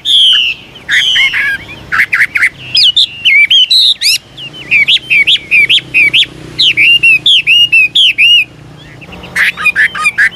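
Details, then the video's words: Chinese hwamei, an old wild bird, singing constantly varied phrases that help young birds begin singing: rich whistled notes and rapid repeated slurred calls in long energetic runs, briefly pausing. "Tiếng chim họa mi mồi già rừng hót luyến láy đảo giọng liên tục, giúp kích chim bổi nhanh hót"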